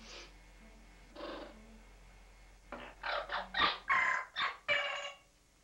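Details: Pet parrot indoors in a bathroom, possibly reacting to its reflection or to pigeons outside: two soft harsh bursts, then a run of about seven loud, raspy, broadband squawks in quick succession.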